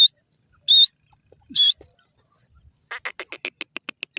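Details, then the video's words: Grey francolin (desi teetar) gives three shrill whistled notes, then a quick accelerating series of short clipped notes follows after a brief pause. "dasi Teetar awaz,grey francolin bird sound"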